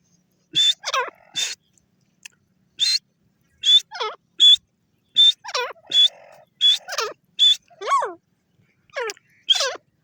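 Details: Grey francolin giving a loud call: short, sharp, broadband harsh notes with a thin whistle inside, each paired with falling, ringing downslurs. The pattern repeats roughly every second, with clear pauses between phrases.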